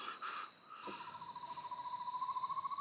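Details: In Kaeng Krachan at night, an Asian barred owlet gives a fast, pulsing whistled trill that swells steadily louder and rises slightly in pitch, over a thin high insect drone; it woke the listener.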